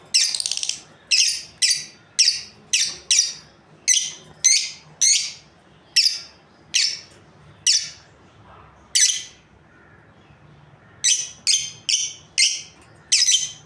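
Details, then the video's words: Breeding pair of lovebirds keeping up a steady series of harsh, high chirps, roughly two per second, pausing briefly before a fresh quick run of calls. "Amazing Lovebirds Chirping Sounds | breeding pair"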